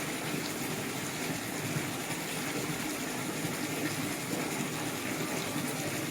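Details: Steady broadband rushing noise like running water or a pump, with no animal calls.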